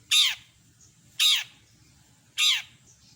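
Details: Long-tailed shrike in full mimicry-filled song: three loud, harsh, raspy calls, each sweeping downward, spaced about 1.2 seconds apart, over a faint low steady hum.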